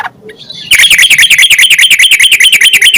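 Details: Yellow-vented bulbul recording meant to prompt other bulbuls into song: after a faint start, a steady, rapid chatter of bright, harsh notes repeated about two to three times a second fills the rest.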